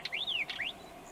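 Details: A northern wheatear in rural Ankara, Turkey gives two quick pairs of calls: each starts with a hard click, followed by a clear whistle that sweeps up and then slides down.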